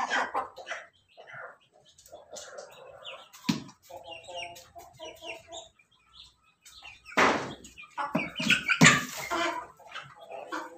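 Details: Ayam ketawa, a laughing chicken, crowing loudly: runs of short, evenly spaced harmonic notes, then harsh broad bursts near the end, with clucks and chirps of other poultry throughout.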